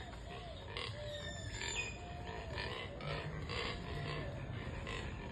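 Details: Neotropic cormorants during the mating season, making pig-like oinking sounds: short harsh grunts repeated roughly every half second, layered over constant broadband background noise with faint higher chatter.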